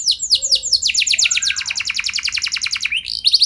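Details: Canary in full vigorous song, played to make other canaries answer: several quick descending notes melt into a very rapid high roll, with a faint low whistle beneath.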